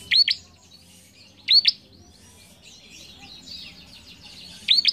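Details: Bar-winged prinia singing, recording meant to encourage young cage birds: three loud, crisp doubled chirps spaced over the clip, separated by soft, busy twittering.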